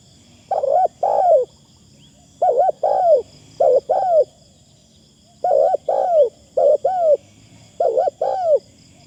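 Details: Decoy spotted dove with a fine, light-phrased voice, giving low paired coos in quick doublets, about five phrases in nine seconds, each note sliding downward, with faint low hum behind.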